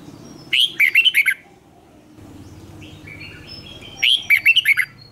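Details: Red-whiskered bulbul in competition-singing training, producing two short bursts of rapid, bubbling whistled notes about three and a half seconds apart, with soft chirps and low background rumble between.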